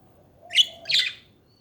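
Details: A pet budgie gives two quick harsh, buzzy warbled chirps in succession over a low background hum.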